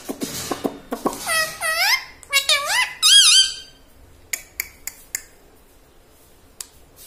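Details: Talking pet parrot repeating "mummy" and "radhe radhe": a fast run of rising and falling harmonic syllables, loudest around the third second, then soft clicks and taps in a quiet room.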